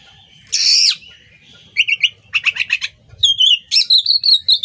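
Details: Song of an Oriental magpie-robin used to train songbirds: a harsh buzzy rasp, then rapid stuttering trills of clipped notes, ending in a chain of clear, repeated high whistles.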